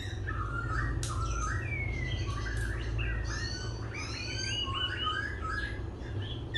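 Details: Singing and dancing laughingthrush, voice shifting continuously: softer, varied chirps, upward sweeps and short warbled notes against a low background hum.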